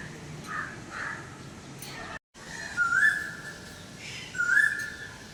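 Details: Asian koel heard outdoors. Two loud whistled notes, each rising sharply at its close, spaced about a second and a half apart, follow softer distant notes, with a steady low hum behind.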